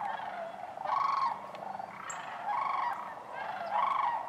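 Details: Close sandhill cranes calling at Wheeler Wildlife Refuge in Decatur on January 12, 2013, amid other waterfowl; three loud, trilled bugles with strong overtones, each about half a second long, over a low purring flock chorus.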